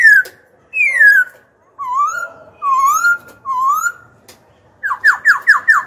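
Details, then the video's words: Song of a young caged black-throated laughingthrush, used to excite rival birds and train young ones: long descending whistles, three mellow wavering upslurs, then a quick run of five sharp falling notes. "Khiếu hót hay kích bổi đấu, luyện giọng bổi, chim non."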